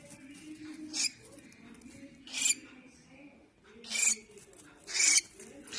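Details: Young cockatiel giving four breathy, scratchy rasping calls at irregular intervals of roughly one second, with a faint low background hum.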